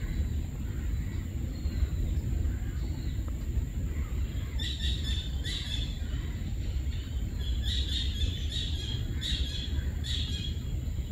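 A female Copper-throated Sunbird gives short, high, sharp chips in loose bursts over a steady low rumble, with a thin constant high whine behind.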